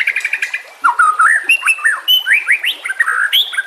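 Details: Varied whistled song of a white-rumped shama, used as a training and lure recording: a fast chattering start, then loud slurred whistles rising and falling in quick succession.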